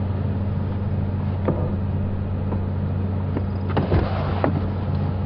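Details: Vehicle engine hum with a few clicks and knocks, like a door or window moving, and no animal calls.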